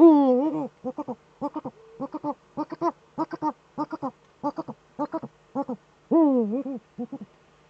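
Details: Eurasian eagle-owl at a breeding niche on a webcam, 26 February 2013, twittering during mating: a loud wavering harmonic call opens, then a rapid run of short stuttering double notes, with another drawn-out wavering call near the end.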